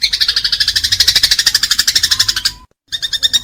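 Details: House sparrow fighting call, offered as a master sound for training pet birds: a fast string of bright, harmonic chirps, about eight per second, breaking off briefly near the end before resuming.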